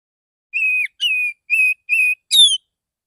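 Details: Morning song of a male Oriental magpie-robin, relaxed and calling to others of its kind: five sustained level whistles in a row, each about a third of a second, the last one higher and falling.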